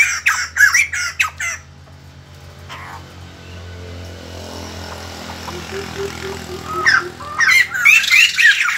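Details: White-crested laughingthrush morning song: a brief burst of harsh, cackling notes at the start, a quieter stretch with faint low tones, then a louder burst of laughing chatter near the end.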